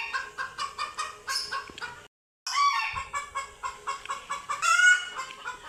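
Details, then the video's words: Scared chickens facing cats for the first time cluck in rapid pulses, fall silent briefly, then resume with louder, rising cackles and a squawk. "Scared Chickens Scream Loudly After Seeing Cats for the First Time!"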